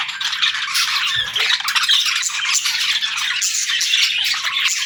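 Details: Pet parrot in the morning, delivering one long unbroken stream of loud, harsh, raspy squawking.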